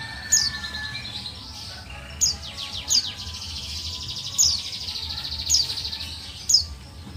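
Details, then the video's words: A buxtoni white-eye female calls so that lazy males will sing in reply: six sharp, high, falling chirps at irregular intervals of about one second, with a soft background hiss. "Call Suara Pleci Buxtoni Betina"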